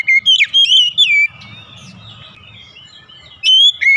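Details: Morning song of a white-rumped shama: a quick run of bright, sliding whistles, then a quieter stretch of softer twittering, and a final pair of strong whistled notes.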